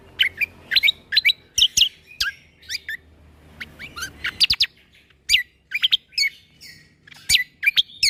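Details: Greater green leafbird song full of 'tembakan' shot-like notes, used to tutor young shamas: a steady stream of loud, sharp, downward-sweeping whistled notes with brief pauses between groups.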